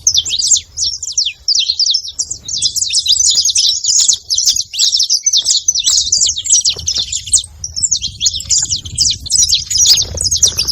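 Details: Steady, noisy chatter from a flock of saffron finches: many overlapping, shrill chirps and quick slurred notes with hardly a break, above a low, muffled background.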